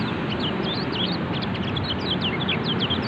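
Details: Caged mountain white-eye, a pleci kecial, kept for singing practice: rapid, high, thin chirps and short downslurred whistles tumbling over one another, set against a steady low rumbling background noise.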